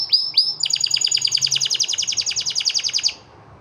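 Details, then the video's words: Male white canary in song, two upslurred chirps followed by a steady rolling trill of about six notes per second that stops abruptly after roughly two and a half seconds. "The White Male canary singing"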